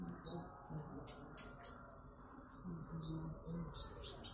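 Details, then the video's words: Konin trotol bird singing: quick, high, sharp chirps and short trills repeated rapidly, several notes each second, with a lower steady hum and faint background murmur underneath. "Burung konin trotol"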